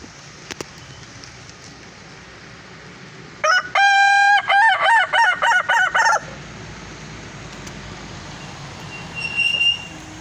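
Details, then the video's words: Red kukuak balenggek rooster crowing while showing off in the evening: a long level opening note, then a rapid chain of about seven stepped, broken syllables, lasting under three seconds over a quiet rural background. "ayam kukuak balenggek, si Naruto bakukuak sanjo"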